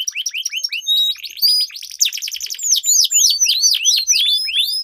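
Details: Sweet-voiced canaries duelling in long rolls, used to train competition birds: a fast buzzy trill with thin whistled notes over it, then a run of loud, repeated down-slurred chirps.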